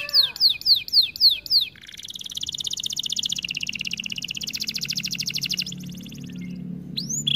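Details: Training song of a canary: a few loud downslurred notes, then a long rapid rolling trill that shifts pitch and fades, ending with a brief upward sweep.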